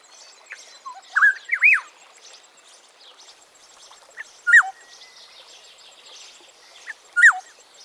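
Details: African Black-headed Oriole (Oriolus larvatus) giving liquid, whistled phrases that rise and fall, in short bursts about every three seconds, over faint high insect-like background hiss.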